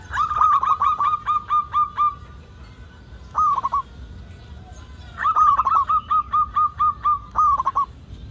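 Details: Local zebra dove in vigorous song, used to spur other zebra doves to sing: steady runs of ringing, evenly spaced coos with trilled flourishes, a short bubbling phrase between them.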